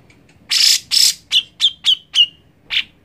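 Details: Grey-cheeked bulbul singing as playback for a bird that will not sing: a pair of broad, grating bursts, then four to five brisk notes ending in short descending whistles, and a final lower chirp.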